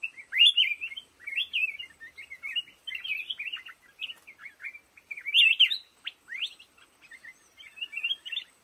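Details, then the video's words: Song of a black-crested bulbul from a lồ ô bamboo thicket, a run of lively, slurred whistled phrases that rise and fall in clustered bursts, including one sharper upward note near the middle. "tiếng chim hót trong bụi lồ ô"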